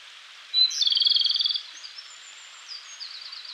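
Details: Early-morning May song of a wild Japanese robin in Koshin mountain woodland: a piercing first note runs straight into a quick, bubbling rattle of about fourteen beats, followed by softer high whistles from other forest birds.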